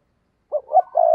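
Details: Spotted dove used as a decoy, cooing to lure wild doves; a short cut of one phrase, two brief hoarse coos rising into a sustained, steady low coo.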